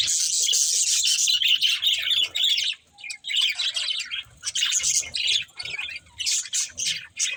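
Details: Pet budgies give a long stretch of high chattering chirps, then broken bursts of warble with short pauses between them.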